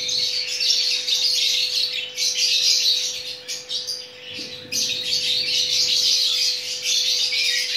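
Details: Chattering lory calls while mating, with sustained, noisy, screeching chatter that briefly dips around the middle before resuming loudly, over a faint steady background hum.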